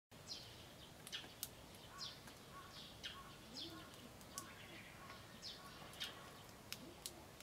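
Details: Eurasian tree sparrow in spring (10 May 2013), tail raised, giving sharp high "jyujyu" chirps, one or two each second, while charging another sparrow, possibly fighting or courting; steady background hiss of outdoor noise.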